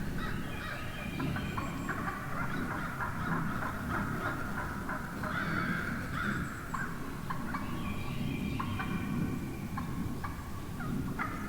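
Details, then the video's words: Large flock of wild turkey hens calling one morning; busy overlapping yelps, clucks and purring notes come in bursts across the whole stretch, with steady low background rumble. "REAL Hen Turkey Vocalizations"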